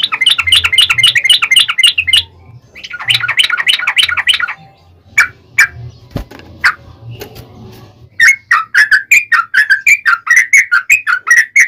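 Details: Yellow-vented bulbul fighting song with a long rapid roll, used as a lure to make other bulbuls answer: quick bubbly chirps, then scattered clicks and pauses, then loud liquid gurgling phrases repeated in fast succession; faint low hum beneath.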